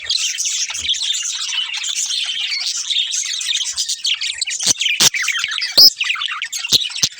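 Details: Budgerigars, a breeding pair, eating while they chirp: steady high twitter broken by several sharp clicks and one loud squeak late on.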